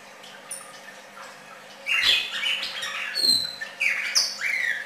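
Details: Red-crested cardinal song beginning after a quiet second: lively, varied whistled phrases with rising and falling slurs and some high clear notes, continuing for about three seconds.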